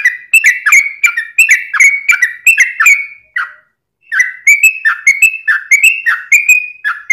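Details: Steady yellow-vented bulbul song in long rapid style, used to provoke other bulbuls into singing: rows of short downslurred whistles at an even quick pace, one brief pause midway, then the same series resumes.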